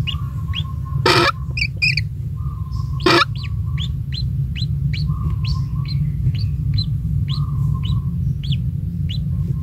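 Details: Lone recently hatched kingfisher chick in the nest, fed insects by its parent, calls in evenly spaced short rising chirps; two loud crackling bursts, a steady mid-pitched hum and low rumble underneath.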